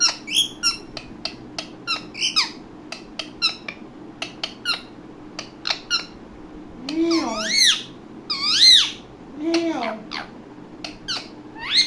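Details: Indian ringneck parakeet, a talking parrot that copies sounds, gives a long run of rapid clicks and squeaks broken by a few loud, bending, harsh squawks.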